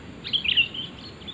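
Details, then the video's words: A quick run of liquid, warbling chirps from a sooty-headed bulbul, the call used for luring birds, fading into softer twitters. "Suara asli kutilang untuk pikat pasti nyaut"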